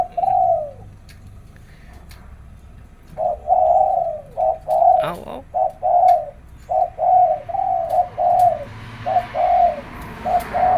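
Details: Kept zebra doves competing in early-morning calling give soft, mid-pitched cooing in quick staccato bursts of three-note phrases, with brief pauses between runs, one sharp chirp and faint background hiss.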